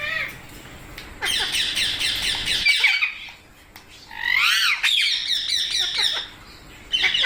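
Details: Parrot squawking loudly in long, grating bursts of rapid chatter, pausing for quiet gaps, then returning with a wavering, upward-swooping harsh call and a final short outburst.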